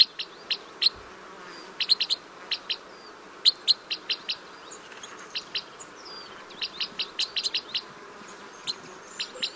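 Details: Red crossbill (Loxia curvirostra), song.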